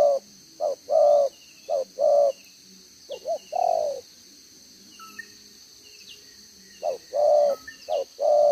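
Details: Wild-type decoy spotted dove with a double-row spotted collar, 'gáy 1 hậu' cooing, 11 June 2023: short-long low coos, then a nearly three-second silence with faint chirps from other birds, then cooing resumes.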